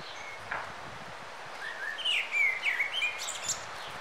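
A young dunnock gives a quick run of thin, high twittering notes that waver up and down, against a soft hiss of outdoor background noise.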